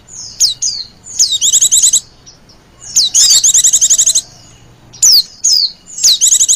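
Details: White-eyes calling as a lure for wild white-eyes. Sharp downslurred whistles lead into short bursts of rapid, high chirping, repeated with pauses of about a second.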